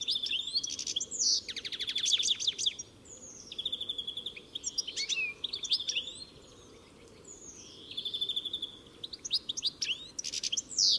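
A European goldfinch sings a rapid, tinkling jumble of liquid twitters, buzzy trills and bright chirps, in bursts with short pauses between phrases.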